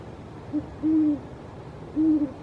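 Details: Great horned owl in a yard: a short low hoot followed by two longer, even hoots, each steady and slightly falling at the end, against a quiet background.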